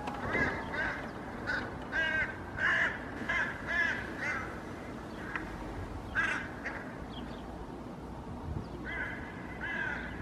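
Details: Hooded crows in a park in Helsinki, Finland, 8 May 2024, trying to chase off a common raven carrying pigeon pieces. Loud, hoarse caws are repeated about twice a second in irregular bursts, with a quieter pause midway.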